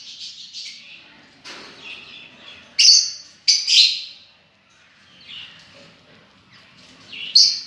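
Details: Lovebirds calling: harsh squeaky chattering notes and several loud shrill screeches, irregularly spaced, with faint background noise.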